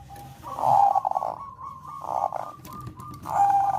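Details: Bangkok-type zebra dove melodious song meant to raise breeding urge: three buzzy, trilled cooing bursts, each carrying a steady clear tone, with quieter gaps between.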